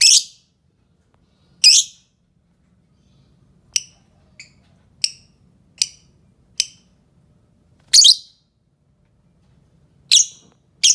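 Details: Fischer's lovebird, green series, uttering sharp high squeaky chirps: a few strong bursts mixed with short thin clicking notes at uneven intervals.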